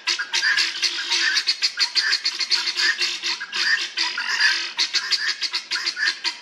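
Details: Helmeted guineafowl (Numida meleagris), a group in an old English churchyard in Northamptonshire, give a continuous, harsh, grating chatter of rapid rasping notes, several birds seeming to call over one another.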